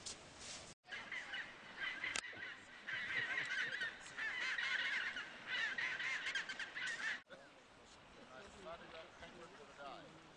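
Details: Chinstrap penguins at Hydrurga Rocks, Antarctica, in December, near Weddell seals, give harsh, honking brays that overlap in a noisy chorus, then fade to softer sounds.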